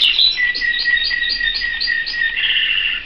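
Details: Pet canary singing a steady series of quick, evenly repeated high notes that pulse about four times a second, over a low background hum.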